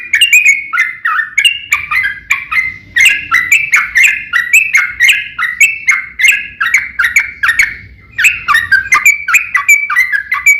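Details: Yellow-vented bulbul singing a long, fighting-style song meant to provoke rival birds into replying, a dense stream of bubbly, slurred notes with crisp high clicks, briefly pausing near the end before resuming.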